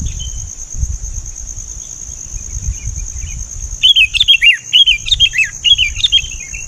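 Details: Kutilang, the sooty-headed bulbul, gives chattering, slurred descending phrases in rapid succession after about four seconds of low rustling, while a constant shrill insect whine runs underneath.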